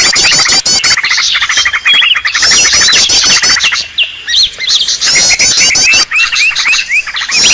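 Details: Green leafbird noisy lure call: long stretch of packed harsh chattering and wavering high whistles, dropping briefly near four and six seconds before the dense calling returns.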